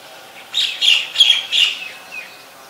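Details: White-vented myna at Ubon Ratchathani, Thailand, 26 December 2020, giving four grating, buzzy chattering bursts spaced about a third of a second apart, followed by a faint short whistle, with little other noise.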